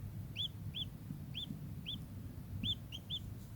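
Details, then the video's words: Kingfisher repeating clipped, hooked 'kek' notes, spaced irregularly, with a quick triple at the end, against low steady background noise. "burung tengkek"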